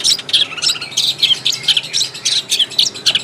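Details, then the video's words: Short burst of long-tailed shrike song in its native habitat, with rapid, harsh, buzzy high notes repeated several times per second. "SUARA BURUNG CENDET DI HABITAT ASLINYA"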